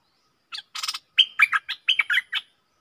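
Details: Decoy bulbul singing at wild birds: a rasping chatter followed by a string of clear, bubbling whistled phrases that dip and rise, about seven notes in under two seconds.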